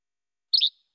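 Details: Yellow-bellied Flycatcher singing the first of its two song types, similar to a Least Flycatcher's che-bek but less sharp and more raspy: one brief, high, two-part raspy note against silence.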